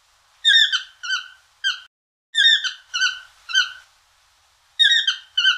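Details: Toucan giving a loose series of about nine squeaky, nasal notes, some run together in pairs, each with a rich stacked tone and a falling finish, set against a quiet background.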